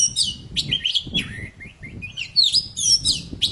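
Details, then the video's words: Oriental magpie-robin (poci) in dense, full song, meant to trigger silent birds to sing: a continuous tumble of whistles, slurs and chattering notes with barely any pause, over a low background rumble. "Suara burung poci super gacor"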